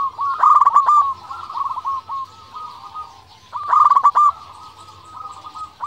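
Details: Zebra dove, local type, giving a bubbling coo used to stir rival doves into answering; two trilled phrases of rapid ticking notes, each trailing into softer drawn-out coos, with other doves cooing faintly behind.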